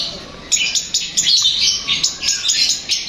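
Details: Cendet, or long-tailed shrike, voice meant to make a kept shrike reply and sing: rapid, scratchy chattering notes in short pulses about every half second, high-pitched and fairly even in loudness.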